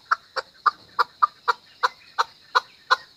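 A chukar gives a rapid series of about ten harsh, clucking chuk notes, roughly three per second, over a steady high-pitched background hum.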